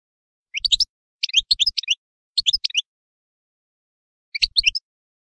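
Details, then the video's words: Short clusters of high, sharp twittering notes from a European goldfinch, four separate bursts spaced by pauses, the last after a longer gap. "تغريد حسون"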